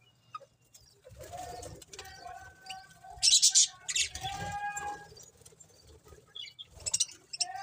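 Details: Budgerigars chattering with soft tonal warbles and a loud burst of scratchy high chirps midway, followed by scattered quieter chirps and a steady low background hum.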